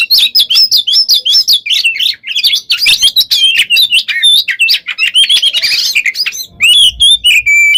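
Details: Oriental magpie-robin singing nonstop 'gacor konslet', alternating shooting and rolling phrases, used to provoke other birds: rapid machine-like chattering notes run continuously for seconds, then slowing into clear separate whistles, with faint low hum at the end.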